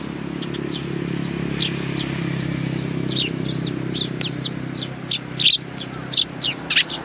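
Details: Sparrows recorded on 29 May 2019, giving scattered high chirps over steady low traffic rumble. The chirps grow louder and more frequent toward the end.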